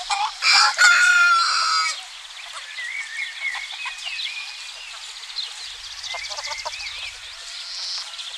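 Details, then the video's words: Roosters and hens, domestic fowl on a spring morning in a Greek village: a loud harmonic crow opens, then dense overlapping clucks and chatter from several chickens continue steadily underneath. "Roosters crowing & chickens clucking"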